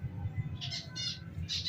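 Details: A pet rose-ringed (ringneck) parakeet, let out of its cage on a rooftop, gives three short, harsh, raspy squawks about half a second apart, over a steady low hum.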